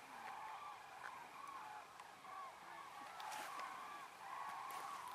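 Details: Common cranes flying after sunset at dusk to roost on Ummanz, western Rügen, where over 20,000 gather, heard at a distance, trumpet rolling bugled calls overlapping almost continuously from several birds over a steady background rumble.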